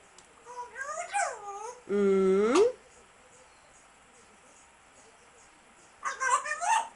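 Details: Grey parrot making warbling notes, then a long steady buzzy tone that ends with an upward sweep, silence, then another burst of wavering whistled notes, indoors with faint background hiss.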